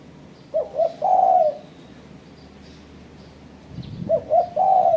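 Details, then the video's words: Spotted dove calling to press rivals, a recording used as a lure for bird catching: two phrases, each of two brief hoots then a long mellow coo, separated by a quiet pause with light rustling. "Suara Burung Terkuku Menekan Lawan Ampuh untuk Pancingan"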